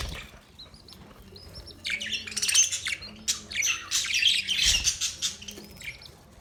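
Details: Budgerigars chirping: a busy run of high, rapid chattering chirps and warbles, swelling in the second half, with a faint low hum underneath.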